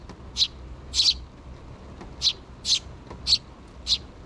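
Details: Nestling sparrows, two chicks, calling for food from their parents with the mother bird present, 6 June 2023; six loud, scratchy high-pitched chirps, one drawn out and doubled, spaced about half a second apart.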